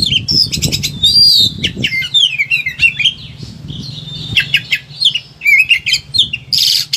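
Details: Excited Oriental magpie-robin in a cage pouring out a long, varied song of quick whistled slides, trills and chattering notes, barely pausing, over a faint low hum; used as a master recording to coax silent birds.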